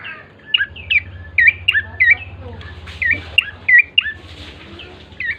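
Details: Bar-winged prinia song used to lure birds into singing: scattered, uneven chirps that drop in pitch, mixed with a low droning hum and some hiss.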